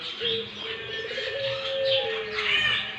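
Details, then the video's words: Barbary dove calling actively: a rolling, purring trill running into a long steady coo, set against a busy wash of higher chirping from other birds. "burung puter gacor"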